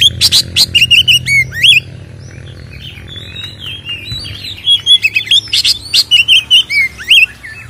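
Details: White-rumped shama song used to provoke captive birds: bursts of rapid sharp clicking chips mixed with short whistled slurs, a quieter warbling middle stretch, then another fast chattering volley.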